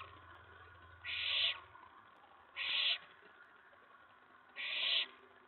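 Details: Owlet in a nest box at night, May 19 2017, stirred by an owl arriving at the tray following a mouse delivery; three clipped, noisy hisses, evenly spaced about one and a half seconds apart.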